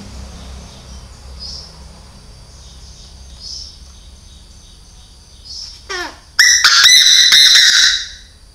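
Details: Decoy Chinese francolin giving a powerful call: faint distant notes first, then a brief descending sweep and a very loud, harsh, ringing burst of rapid strident notes over about two seconds.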